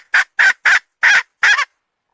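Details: Five loud, harsh clucks from a hen, spaced irregularly over about one and a half seconds, then silence.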